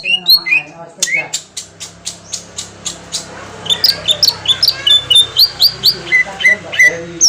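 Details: Green leafbird song used as a lure to provoke a response, Kalimantan type: rapid series of clear whistled notes and slurred rising and falling phrases between high chips, some clicking and faint background hum.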